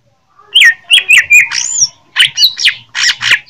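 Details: Fighting song of a greater green leafbird from Jember, Indonesia: a string of sharp, downslurred whistled notes about three per second, some harsh and squawky, loud and close.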